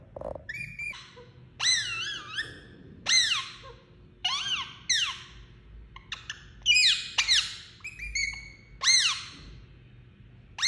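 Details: Pet Indian ringneck parakeet making talking-type sounds indoors: loud, harmonic squawks and arched, whistled notes in short bursts about every one to two seconds, over a faint low room hum.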